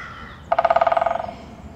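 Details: Pileated woodpecker drumming on a tree: a loud, rapid roll of about fifteen sharp, resonant strikes over roughly 0.8 seconds, the beats weakening and spacing out slightly at the end. It stands out clearly above quiet outdoor ambience.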